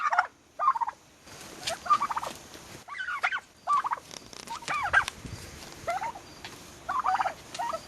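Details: Young turkeys about six months old calling in a group: bursts of rough, warbling yelps and clucks around the mid range, some with quick rising and falling squeals, coming in clusters separated by brief pauses.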